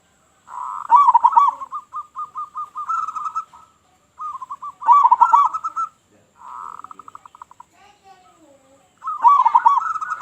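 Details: Loud local zebra dove singing to lure other doves: repeated phrases of bubbling, trilled coos followed by runs of short, even staccato notes, about four phrases in ten seconds.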